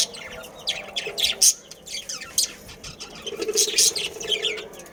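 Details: Budgies of a breeding colony chatter in irregular bursts of thin, high chirps and squeaks, loudest early and again toward the end, with a faint low hum at times.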